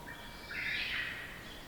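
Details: Wild birds calling in the forest along the approach to Iwato Shrine, Unzen, Nagasaki, Japan, at midday in June 2022, captured with a field recorder; a brief burst of bright, high chirps over a steady hiss of forest ambience.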